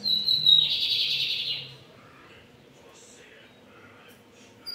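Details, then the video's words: Bigodinho, the lined seedeater, delivering a firm song phrase: a brief pure whistle, then a broad buzzing trill lasting over a second, leaving faint scattered chirps and low hum. "Bigodinho Pardinho cantando firme!"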